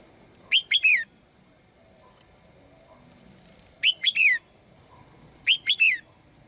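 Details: Three quick bursts of three sharp, sliding chirps each, given by a caged female bird singing to call the male, with soft background rustle.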